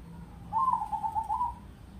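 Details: A zebra dove (perkutut, "Crossing" type, said to have a deep, loud voice) gives one soft, mellow cooing phrase of about a second, a slightly wavering, trilled coo at steady mid pitch, over a faint low hum.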